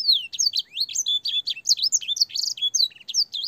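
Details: Domestic canary master song, with blackthroat and sanger phrases, for training young canaries: fast, clear, varied warbling of whistled sweeps, buzzy notes and short trills, sung continuously.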